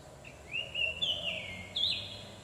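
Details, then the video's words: Oriental magpie-robin song played to attract wild birds. A clear, sweet whistled phrase with sliding notes is followed by a higher bright trill, over a faint background hum. "cara memikat burung kacer"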